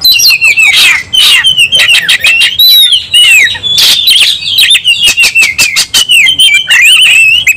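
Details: Oriental magpie-robin singing aggressively in fighting mode: a nonstop stream of sharp whistles, harsh rasps and quick clicking notes, with wavering high whistled phrases running throughout.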